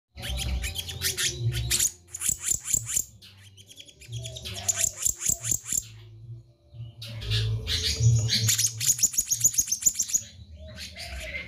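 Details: Black-naped Monarch in lively full song: bursts of sharp, high chirps and clicking notes delivered in rapid runs, a short quiet break midway before another dense burst, over a steady low hum.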